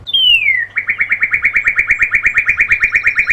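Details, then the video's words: At daybreak a northern cardinal gives one long descending whistle, then a fast, steady trill of about twenty-five short whistled notes continuing to the end, loud and ringing with a faint low hum. "At Dawn. I Hear the Sounds of the Northern Cardinals."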